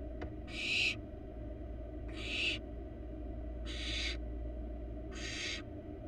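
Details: Wild barn owl chick in a monitored nest box gives four raspy hissing screeches, evenly spaced about every one and a half seconds, over low droning hum.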